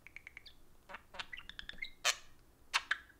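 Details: A pair of caged pet budgies interacting over a phone: a run of quick soft ticking notes, then louder harsh squawky chirps and warbles.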